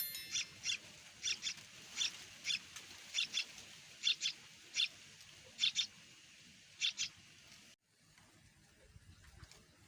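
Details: Two hungry sooty-headed bulbul chicks, growing well, in their nest waiting for the parent to feed them: thin, high squeaky calls given in quick pairs roughly every second, then quiet.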